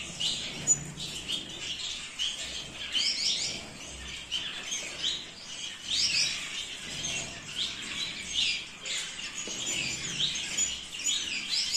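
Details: Flock of zebra finches, small birds from Australian grasslands, chattering continuously with busy high-pitched chirps and squeaks that come in bursts every second or two.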